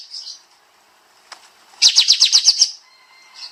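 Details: Pied Triller (kapas tembak), rapid 'nembak' master song for training songbirds: after soft high notes and a click, a single burst of seven quick, bright, high notes delivered about four per second.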